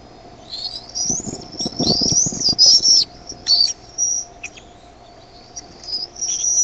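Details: Bald eaglets in the Decorah nest on 13 May 2015, begging as the adult arrives with food; broken, shrill high whistles in short bursts with rustling and scraping underneath.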